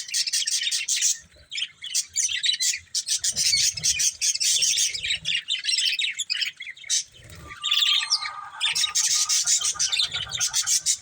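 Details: Budgerigars kept as a breeding pair chattering busily: fast scratchy chirps and squeaks run almost without pause, with one drawn-out whistled note late in the sequence.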